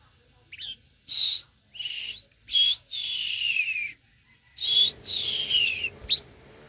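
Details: A very tame Blue-winged minla sings clear, high whistled notes in short bursts, several drawn out and sliding downward, with brief pauses between phrases and a quiet background.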